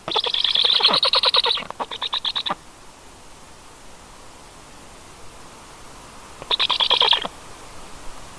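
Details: Stork chicks calling in bursts: a rapid scratchy rattle for about two and a half seconds, a quiet gap, then another short rasping burst.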